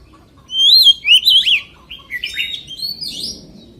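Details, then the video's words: Oriental magpie-robin singing in the forest-voice style: bright whistled phrases with sweeping up-and-down slurs, a loud burst followed by softer, varied notes, over a quiet background. "CHÒE THAN HÓT GIỌNG RỪNG SIÊU HAY - Suara Burung Kacer Gacor"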